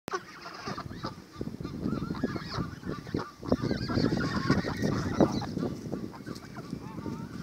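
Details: Canada geese being fed at Thames Eyot, a flock giving loud, overlapping honks in rapid irregular succession, with crowd noise beneath.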